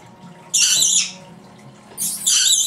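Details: Pet female lory that imitates its owner's sounds and adds a few of its own: two harsh, broadband high squawks, the first lasting about half a second, the second longer, with quiet low hum between.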